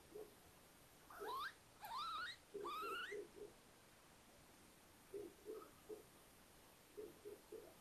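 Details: Little owls at their nest in a house attic at Tiszalök, Hungary, on 3 May 2022, in the breeding season with four owlets after two more eggs hatched, give three quick rising, slightly wheezy calls, then soft, low, muffled notes at an uneven pace.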